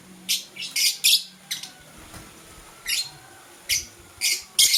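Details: Blue and green lovebirds in the morning: loud, shrill, scratchy chirps repeated in short bursts, roughly every half second to second, over a quiet low hum.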